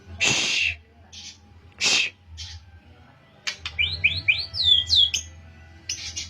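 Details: Pastol-type white-rumped shama practising canary phrases: two harsh rasping bursts, then a string of rising whistled slurs and a high wavering note, followed by brief chips.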